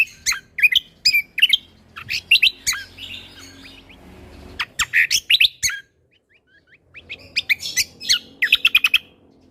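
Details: Lesser green leafbird in bold, lively song for training other birds, shot-like fill style: fast rhythmic series of sharp chirps and whistles, a silent gap after about six seconds, then another rapid run.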